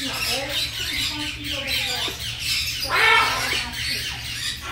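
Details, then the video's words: Grey parrot with a red tail expressing fondness for a friend, making rasping squawks and brief whistled glides, with one louder harsh burst near the end, against soft music, a low hum and occasional talking. "Yaco de cola roja expresando su afecto a su amigo"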